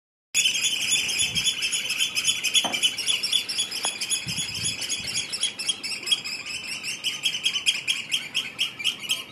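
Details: Eurasian oystercatcher calling: a dense, shrill stream of high piping notes repeated rapidly and almost without pause, several per second, with a few faint low thumps in the background.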